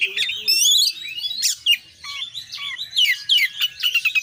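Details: Oriental magpie-robin in energetic 'gacor' singing, full-isian style packed with fill-in phrases: high, rapid whistles and sharp chips, with a lower, swooping whistled note near the start.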